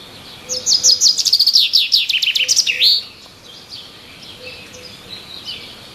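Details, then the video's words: High, rapid chirps from a bird in the trees run for over two seconds and end in a dipping, swooping note, followed by quieter, distant chirping and a soft low tone. "Birds Chirping in the trees"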